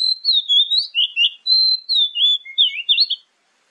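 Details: Oriental magpie-robin (kacer) song played as a lure to make other birds answer, morning and evening: a continuous run of loud, varied whistled phrases, sliding up and down with quick chattering notes, ending abruptly.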